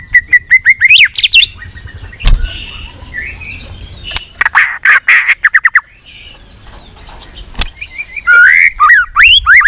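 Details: Varied song of a white-rumped shama, meant to fire up other shamas to sing many voices: bursts of sharp clicking notes, rising and falling whistles and harsh squawky phrases in irregular runs, with short silent gaps.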